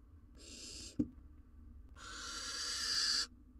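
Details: At a nest box a male barn owl brings prey to the female and their chick; a brief rasping hiss followed by a longer, louder hissing screech, with a sharp knock between them.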